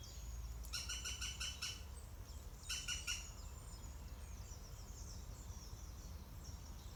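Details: European green woodpecker nest, fledging day, 16-6-20: two rapid bursts of about six and four harsh, grating notes, the first longer, followed by quieter high twittering and a low steady background rumble.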